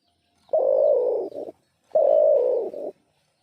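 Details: Unidentified bird whose name is unknown to the recordist: two hoarse, buzzy, low notes about a second long, each fading into a short rougher tail, with a pause between them in quiet surroundings.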